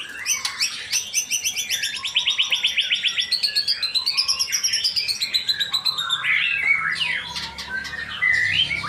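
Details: Varied song of a male white-rumped shama in Indonesia: a fast series of rapid repeated whistled notes at about four per second, then swooping clear whistles and chattering flourishes.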